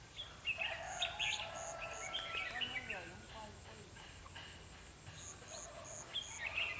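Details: Red-whiskered bulbul fighting song recorded 21/12/2015 while trapping a wild bird with a lure bulbul; short warbled, whistled phrases repeat rapidly, with other birds calling and a rooster crowing in the background.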